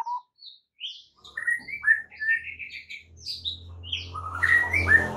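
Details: White-rumped shama song used as a master for caged birds that have gone quiet; scattered high chirps lead into a rolling whistled phrase, later joined by a low background hum and a rich, slurred warble.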